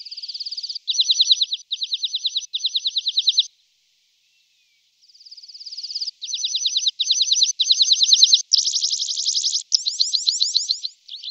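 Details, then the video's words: Tree pipit delivering phrases of rapid buzzy trills, each block of fast repeated high notes lasting under a second, with a brief gap midway before the trills resume, growing louder and slightly higher toward the end. "Biały SZUM Z ODGŁOSAMI PATKA - Świergotek drzewny"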